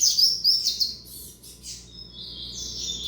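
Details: Young double-collared seedeater from a tournament singer's line gives loud, sharp, rapid chirps, then softer sliding whistles ending in a long, level high note.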